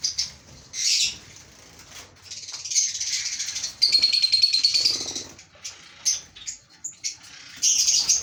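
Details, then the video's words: Breeding pair of lovebirds calling in a small room: harsh, buzzy high chatter in bursts, a long rasping stretch in the middle and scattered short chirps between pauses. "Breeder Lovebirds❤"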